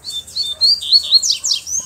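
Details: Black, bluish-white-billed double-collared seedeater singing in the wild, with a female appearing nearby: a loud, continuous run of high whistled notes, rising and falling slurs, then rapid downward sweeping notes at the end.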